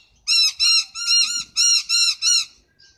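A noisy miner gives a quick series of seven harsh, nasal squawks, roughly three per second, loud and rasping with a slight downward bend.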